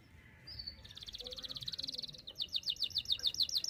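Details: Canary song meant as tutor material for young canaries, delivered in long single-breath bursts: a brief whistle, then a fast buzzy trill, then sharp repeated down-slurred notes climbing in loudness.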